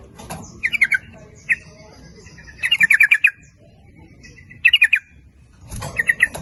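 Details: Yellow-vented bulbul in lure song intended to call in both males and females, 'nguplik ropel' style: repeated bubbly chattering bursts of quick falling notes, each lasting under a second, spaced a second or two apart.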